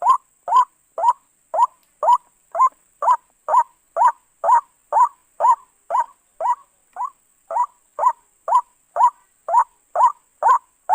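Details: White-breasted waterhen call used as a trapping lure: about 22 harsh, croaking notes in steady succession, roughly two per second, each rising then falling slightly, over a faint constant high-pitched whine.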